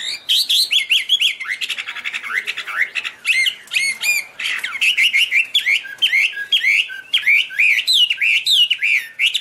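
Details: Chinese hwamei giving an energetic song with loud whistled notes and slurred phrases, occasionally broken by harsher buzzy bits, almost without pause.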